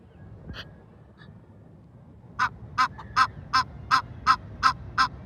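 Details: Female Egyptian goose calling loudly at night beside a lake in a Houston park, Texas, as a nearby male moves away; after a faint early note, eight sharp, nasal honks follow in a steady series about three per second.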